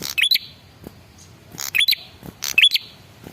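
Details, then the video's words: Male prinia calling to make other birds answer: three short bursts of crackling clicks, each finished with a bright, rising high whistle. Brief silence falls between the bursts. "suara pancingan burung prenjak kepala merah jantan"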